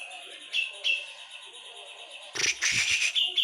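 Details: Javan brown-cheeked bulbul in full, loud song: after a quiet start with two short high notes, a burst of rich, dense chattering phrases rises sharply and runs on to the end.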